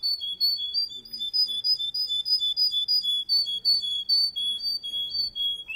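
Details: Russian canary male warbling a steady, rhythmic series of soft whistled notes, roughly three per second, alternating between two close pitches.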